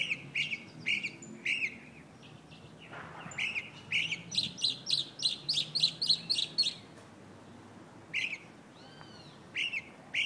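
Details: A mockingbird perched atop a chinaberry tree in Buenos Aires, Argentina, in August 2014 sings bright, sharp, chirpy notes in quick repeated runs of about two per second, then a looping swoop of a note near the end, over a steady hiss.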